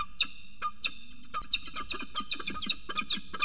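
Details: At a water-tower nest at Axel, February 2018, a northern goshawk mating on the nest rim gives a few spaced harsh calls that quicken into a dense, scratchy chatter, with steady low background noise.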